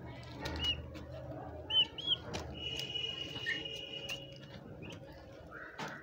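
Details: Turkey poults (chicks) giving a few short, high whistled peeps and one longer steady whistled note, scattered irregularly over low background rumble and faint shuffling noise.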